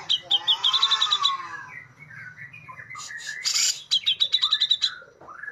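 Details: Cucak jenggot, the brown-cheeked bulbul, in sharp besetan style used as a master for gesekan: rapid trilled bursts of bright notes with a harmonic rasp, a wavering middle passage and a noisy burst, then another quick chattering run.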